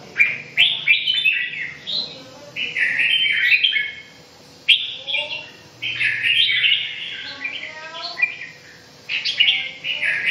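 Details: Song of a red-whiskered bulbul: lively, whistled phrases come in quick clusters with short silences between them, the notes bubbling up and down with a faint low hum underneath.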